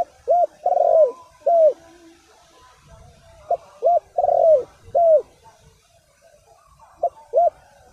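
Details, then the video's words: Spotted dove cooing as a lure for wild birds. Repeated low phrases of arched coos around a long vibrating purr, sounding three times over eight seconds, with faint low rumbling between them. "Chim cu gáy chiêu kích mồi tập bổi nhanh nổi hiệu quả"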